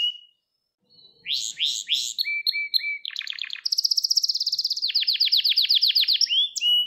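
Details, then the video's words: Gloster canary training song, used to stir up males and teach young canaries: rising swept notes, soft lower whistles, a short dropping rattle, then a long rapid trill breaking into repeated downslurred notes. "Gloster Kanarya Eğitim Sesi Canlı Görüntü | Gloster Kanarya Ötüşü Erkek Huylandırma Ve Kızıştırma"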